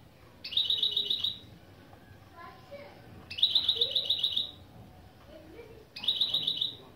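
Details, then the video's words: Goldfinch × canary hybrid (mule) singing opening phrases of a song lesson, Turkish style with motifs such as piçüvi piçüvi, cibili cibili, pli pli pliy, velisvelis and boli boli: three bright, rapid trilled bursts of about one second each, separated by pauses with faint low background sounds. "Saka Melezi Ön Çıkışlar"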